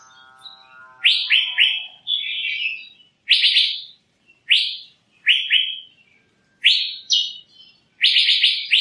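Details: Asian fairy-bluebird giving loud, quick chirp series, each note a short downward sweep, grouped in runs of two to four with brief gaps; a faint low humming tone opens the recording.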